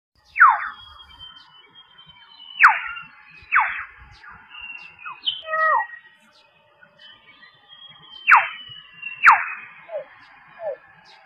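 Common Hill Myna giving loud, sharply falling whistled shrieks, about five in eleven seconds, between softer gurgles, clucks and short fluty notes.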